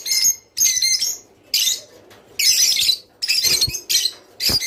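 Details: A rice finch's mating-stimulation song: dense, loud bursts of high squeaky twitter and buzzy notes, each about half a second long, with clear pauses between them and a few soft thuds.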